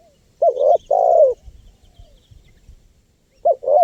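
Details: Spotted dove call for luring wild birds: a clipped double coo then a long falling coo, another phrase starting at the end, with faint low background rumble.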